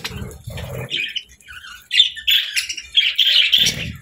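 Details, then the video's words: Happy budgie singing: rapid high warbling chirps run almost continuously through the second half, preceded by low muffled thumping at the start. "Budgie Sounds 🦜 | Happy Budgie Chirping & Singing"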